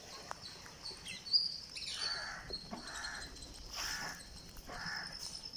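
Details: Green parakeet on day 49 during feeding, making rough, hissing rasps in roughly one-second bursts, with thin high chirps and a constant high whine behind.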